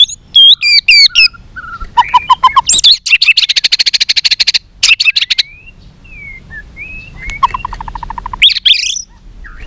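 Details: White-rumped shama pouring out a fighting song of many voices: looping whistles, then a long fast rattling trill, then clear upslurred notes and a quick stuttering series, loud and varied.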